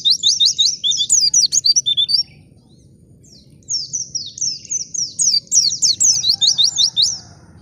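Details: Forest white-eye lure song, used to provoke other birds to sing: a fast twittering burst of high sweeping notes for two seconds, a pause, then another long run of bright, slurred chirps.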